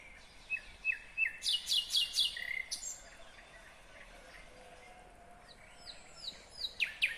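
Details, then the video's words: Singing nightingale, Kyrgyzstan, 2020: a few whistled notes lead into a fast run of sharp, clicking, high chips, a rising whistle, a quieter varied passage, then more loud chipping notes near the end, over low hiss. "Пение соловья / Chill out Nightingale Singing / Булбул уну / Булбул овози"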